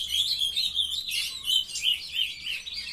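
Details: Captive juvenile ultramarine grosbeaks, morning of 23 June 2020, a brown youngster beginning song. Rapid warbling phrases with rhythmic swells about every third of a second and overlapping chirps.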